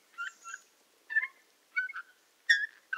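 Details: Eurasian bullfinch in the Tula Zaseki forest, Tula Oblast, Russia, on 18 March 2015: soft, slightly nasal piping notes with overtones, given in small groups about half a second apart, fairly faint against a quiet background.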